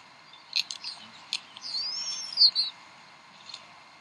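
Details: Bald eagles at the Decorah nest on 26 April 2012, 7:50 pm CDT, the mother feeding three eaglets; a few short high clicks, then one thin, arching whistled call climbing and falling, with a faint peep afterwards.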